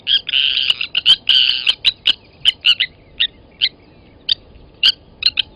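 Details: Blacksmith lapwings calling at a waterhole on Djuma Game Reserve, Sabi Sand, South Africa, on the morning of 29 August 2020, while an adult kills a chick taken from the nest; dense ringing tink notes that slow into spaced single clinks.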